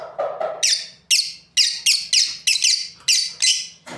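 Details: Breeding lovebirds in a quick run of loud, rasping high chirps, about nine in four seconds, preceded by lower chattering sounds at the start.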